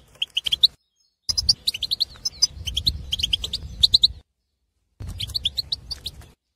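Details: Aviary male European goldfinch, wild Algerian, in breeding condition, singing three bursts of quick high chirps and twitters with clean silences between, intended to stimulate other goldfinches.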